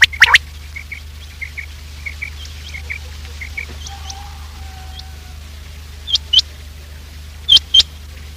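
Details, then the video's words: A quail call used as a lure for trapping and hunting quail: soft high chirps repeated about every half second, broken by sharp, loud double notes, over a low steady hum. "Quail trap sound effect : lure in Quails with this effective call"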